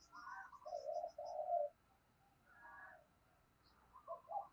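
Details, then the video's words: Decoy spotted dove calling to draw in wild doves. Soft, low hoarse coos come in two groups with a quiet gap between them, and faint high chirps sound in the background. "Tiếng Chim Cu Mồi Thúc Và Gáy Gọi Bổi"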